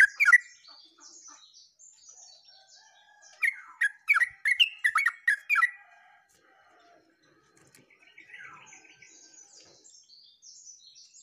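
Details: Yellow-vented bulbul singing vigorously, recorded 29/08/24: a burst of bubbly, chopped notes repeated rapidly over about two seconds, with thin high twittering from other small birds before and after.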